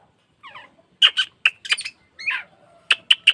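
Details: Oriental magpie-robin (kacer) trigger song for caged birds to open their tails and sing more: a soft chatter, then sharp, high, clipped chips and scratchy notes, ending with three quick sharp chips.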